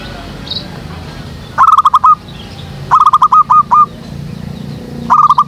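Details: Trapping lure of a zebra dove at a jackfruit tree behind a house. Three bursts of rapid repeated coo notes, each phrase under a second, loud and harsh-edged, over faint background birds and low rumble.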